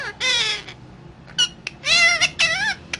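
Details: Talking parrot producing long nasal speech-like phrases with wavering, sliding tones, broken by short clicks, ending in a falling drawn-out syllable.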